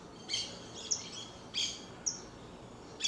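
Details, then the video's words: Song of a saffron finch, brief sharp high chips alternating with slightly longer bright notes, spaced irregularly over three seconds against soft constant background noise. "CANTO DE CANÁRIO DA TERRA"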